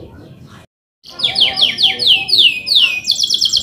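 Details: Male canary song for training young canaries. A faint voice is heard briefly, then after a pause come repeated downslurred whistled notes and finally a high pulsed trill.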